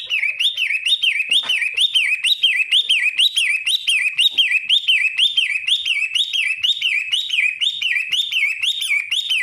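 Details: Loud, continuous song of a Long-tailed shrike, matahari type: sharp chopped whistled notes repeated about twice a second without pause across nine seconds, each note swooping up and down, with a faint click partway through.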